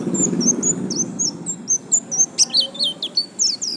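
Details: White-eye singing in the continuous 'gacor lasroll' style: a steady string of high, thin whistled notes, each slurring up then down, about three to four per second, over a faint constant high whine.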